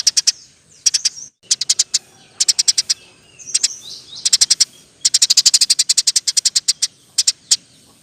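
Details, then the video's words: Eurasian tree sparrow singing 'gacor' with rapid, tight 'roll tembak' rolls for training other songbirds; staccato high chips in bursts, building to a long rapid run of roughly fifteen notes midway. "Burung gereja gacor. Roll tembak pas untuk masteran"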